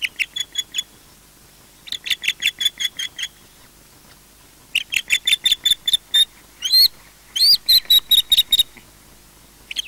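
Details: Osprey at its nest at Loch Garten, Scotland, defending the nest as another osprey returns: bursts of sharp, high, whistled yelps in rapid series, some notes rising and louder, separated by short pauses.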